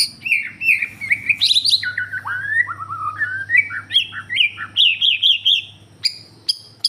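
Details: Borneo white-rumped shama pouring out a fluent song of clear whistled phrases, some descending in steps, followed by a quick run of repeated bright notes and a few sharp high chips, with a constant low hum in the background.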